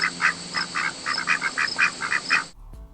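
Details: Domestic white Pekin duck hen on a family duck farm, her loud audible quack played to show how hens differ from softer, whispery drakes: about ten harsh nasal quacks in steady rapid series, then a brief click and quiet.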